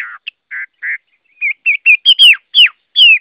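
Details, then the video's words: Song of a Chinese hwamei: a few low harsh notes, then a run of bright, rising then falling whistles that become louder and higher, each about a quarter second long. "Tiếng Họa Mi hót | The sound of the bird Garrulax canorus"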